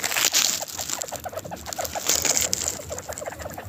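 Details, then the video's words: Bobwhite quail, happy after being given spring mix lettuce, chatter softly in quick, low, clucking notes, several overlapping in a steady patter, over a constant high hiss. "The Sound of Happy Quail.."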